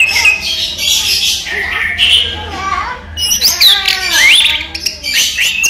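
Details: Daytime song of a kept orange-headed thrush: varied warbling phrases mixing mid-pitched whistles with high, sweeping upward slurs. Loud twisting notes come in the second half, and a soft low hum is in the background.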